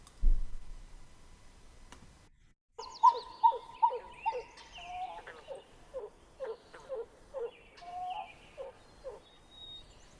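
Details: Pied-billed grebe (Podilymbus podiceps) song-like vocalization, Maine wetland bird: a run of hollow, gulping cow-cow-cow notes, about two a second, slowing into longer drawn-out notes, preceded by a brief thump and room noise.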